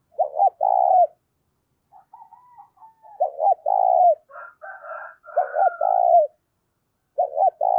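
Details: Loud spotted dove cooing used to excite decoy doves. Four low phrases of two clipped notes and a long coo, with a soft wavering note early on and higher whistled notes from another bird in the middle.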